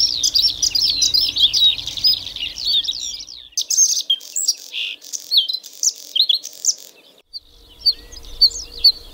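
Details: Rich, rapid Bluethroat song. A dense jumble of twittering, scratchy and whistled high notes gives way to a brief pause. Scattered sharp chirps and short phrases follow.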